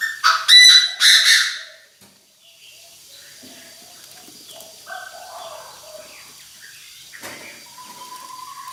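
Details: Decoy Chinese francolin calling to gather the flock, an intense call: a burst of loud, harsh, rasping notes in the first second and a half, then quiet with faint thin whistles from other birds.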